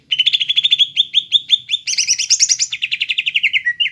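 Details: Lively greater green leafbird song for training young birds: an unbroken rapid chatter of high whistled notes, about eight per second, rising into a higher squeaky trill before dropping to a lower twitter.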